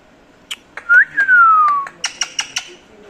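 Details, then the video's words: Parrot kept as a pet, waiting for its owner to speak, gives one clear whistle that jumps up briefly and then slides slowly downward, framed by sharp clicking taps. "Parrot waiting for me to talk😅 | Funny parrot talking video"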